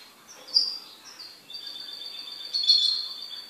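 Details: A pet goldfinch singing: brief high twittered notes, then a long, steady, high trill of two parallel tones that swells louder near the end, over a quiet background.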